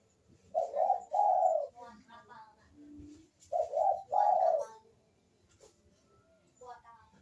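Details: Barbary dove cooing played as a lure to coax lazy doves into calling: two paired bursts of rough, buzzy low coos roughly three seconds apart, with a faint background hum.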